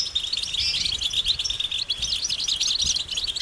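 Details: European goldfinches twittering as a flock in nature, giving mating and readiness calls said to prompt males to sing; fast, jumbled high-pitched twitters and buzzy trills run unbroken and fairly loud throughout.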